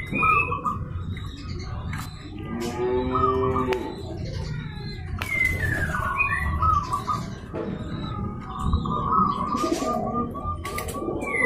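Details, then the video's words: Provoking call of a local zebra dove meant to make rivals sing: long runs of quick, even pulsed coos fill the second half. Earlier, scattered chirps, a wing flutter and other bird calls are heard over low noise. "Perkutut lokal jago memancing lawan agar mau bunyi."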